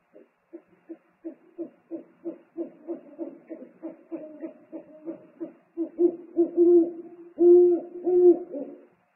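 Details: Owls at a nest on a live nest camera, 3 March 2019: the father brings food and trades calls with the mate. Soft low hoots repeat irregularly, then grow louder and longer toward the end, overlapping in a two-voice exchange.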